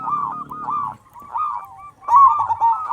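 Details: Loud-voiced local zebra dove singing, played as a lure to stir other zebra doves to call: a second of rolling coos over a low buzz, a softer pause of quieter notes, then a strong trilled coo run.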